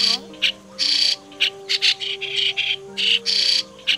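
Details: Migratory white-cheeked starling, recorded as a lure for catching birds: harsh, hissing bursts of call notes, some long and some short, come in an uneven run, over faint steady low tones.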